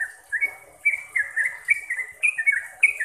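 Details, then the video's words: Trucuk (sooty-headed bulbul) singing for caged-bird training, with bright whistled notes, some held briefly and some falling, run together in a quick, slightly uneven series. "BANYAK Trucuk yang jadi GACOR dan ROPEL berkat suara TRUCUKAN ini"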